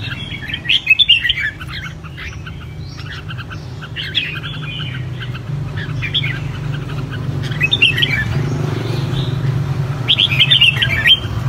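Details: Red-whiskered bulbul kept caged in Vietnam for song contests: short rich warbled whistle phrases come in bursts, loud early and again near the end, with many fainter chirping birds and a steady low hum between.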